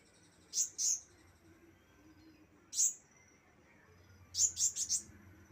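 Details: Young Javan white-eye learning its song gives sparse high, piercing chirps, first a pair, then a single note, then a quick run of four, with long silences and a faint low hum between.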